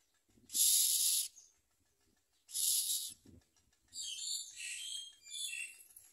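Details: Common myna young at the nest with their mother, eating little and snapping at her; two harsh hissing rasps, then a stretch of busy, scratchy chattering notes, with faint low knocks underneath.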